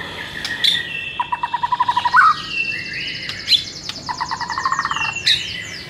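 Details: White-rumped shama (murai) singing in a training recording intended to trigger aggressive responses: fast rattling trills of evenly spaced notes, twice, between high thin whistles and sharp chips.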